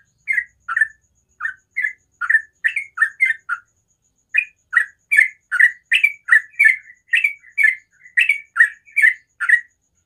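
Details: Sooty-headed bulbul giving a rapid ropel-style song in the morning: short bubbly chirped notes, each dipping and rising, repeated about two to three per second with a brief pause midway; no other sounds.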